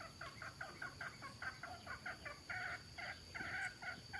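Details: Adult male and female mixed-breed red junglefowl in Nam Som, Udon Thani, Thailand, giving steady rhythmic clucks about four per second, some notes longer and harsher, above a background of insect buzz.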